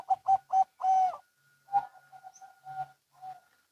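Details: Local and Bangkok zebra doves calling back and forth: three quick hollow coos and a longer swelling note, then quieter, more distant answering coos in a loose, stuttering series.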